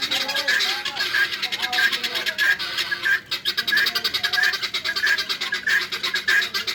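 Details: Farm-raised guineafowl give harsh, rasping calls repeated in a quick steady rhythm, about one every half second.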